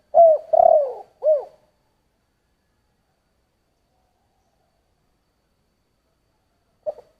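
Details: Spotted dove cooing in the Vietnamese 'giọng thổ' voice style: three low, mellow coos in quick succession, the middle one longest, then several seconds of silence before a brief final coo.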